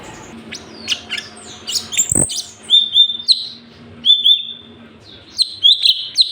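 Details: Sooty-headed bulbul in a very vocal song recording made for tutoring cage birds: scattered short whistled notes. A sharp knock falls near the start, and then brief clear phrases come at intervals of about a second.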